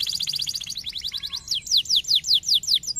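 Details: Canary song used to get other canaries singing: a fast high trill flowing into slower, loud descending whistled sweeps repeated about three times per second.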